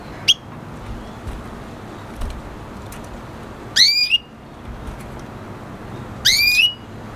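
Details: Red siskin × canary F1 hybrid gives a short high chirp, then two loud upward-sweeping whistled calls about two and a half seconds apart over low steady background noise.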